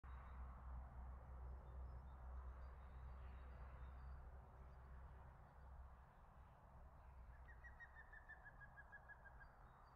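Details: A European green woodpecker perched in a treetop gives a quick, laughing run of about a dozen ringing notes that fall slightly in pitch, over a steady low rumble.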